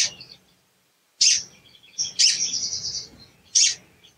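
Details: Sooty-headed bulbul calling as a lure for a bird that sings poorly: three harsh, bursting chirps, the second running into a sustained buzzy trill lasting nearly a second.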